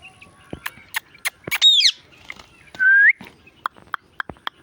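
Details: Indian ringneck parrot talking and making sounds: loud rising whistles sweeping upward, one arched note and one climbing note, with sharp clicks and ticks scattered between them.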